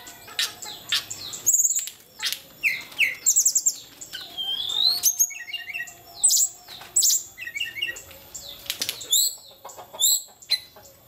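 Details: A tledekan of the kenthir type sings a lively, varied song of high whistles, sharp chips and rapid trills in quick bursts, with brief pauses between phrases and little else heard.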